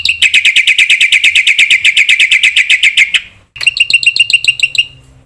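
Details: Lure song of a black-winged myna in gacor style with full isian, used to goad other mynas: a dense, even train of loud, high chirps, roughly six per second, a brief gap, then another quick chattering run.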